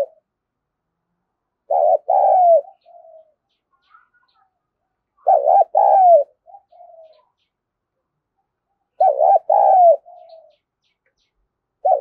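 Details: Spotted dove urging call used to attract wild doves: three loud coo phrases, each a wavering first note and a long falling note. A soft, low trailing coo follows each phrase, and all are repeated roughly every three and a half seconds.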